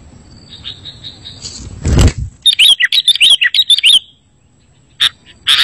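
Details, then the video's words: Sooty-headed bulbul song played as a lure to draw bulbuls into answering, with bright whistled chirps in quick bursts after a loud thump, a run of rapid looping notes, then a pause and a few sharp chirps. "Suara Masteran Burung Kutilang Berkicau, Kutilang Auto Nyaut"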